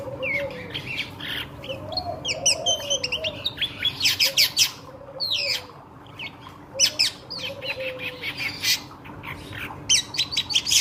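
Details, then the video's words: Ashy drongo pouring out a varied lure song for nearby birds: rattling chatter bursts, squeaky notes and clear whistles in uneven phrases, with a quiet steady hum beneath. "SRIGUNTING GACOR PANCINGAN BURUNG SEKITAR"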